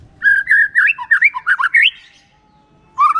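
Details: White-rumped shama singing a lure song meant to prompt other shamas to answer: a run of rich, varied whistled phrases, warbling up and down, a pause, then a new rising whistle.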